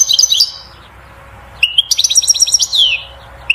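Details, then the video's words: European goldfinch courtship twitter, aimed at stimulating the female to mate and build a nest: a short trill, a pause, then a fast run of sparkling notes ending in a falling buzz. "بتبتة الحسون أقوى تغريد لتحفيز و تهييج الأنثى على التزاوج وبناء العش"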